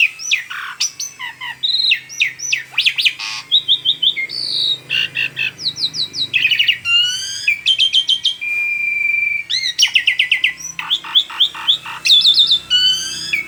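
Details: Asian pied starling singing a lively, varied song: rapid whistled notes mixed with harsh, buzzy chatters and sharp rising and falling phrases, delivered almost without pause, against a quiet background.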